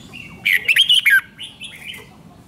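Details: Caged red-whiskered bulbul song from Thailand: one quick phrase of loud, looping whistled notes, then softer trailing chirps, used to rouse other caged birds.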